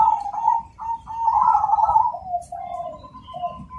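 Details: Black cemani zebra dove in full song: a quick rolling coo, a brief gap, then a longer rippling trill sliding down into short hollow notes, plus a faint thin tone in the background.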